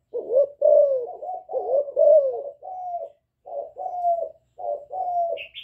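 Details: Young spotted dove mixing calling coos with bowing coos in the hạp bổi style to provoke wild doves; a dense run of low falling coos, later softer flatter notes, and a brief high chirp at the end.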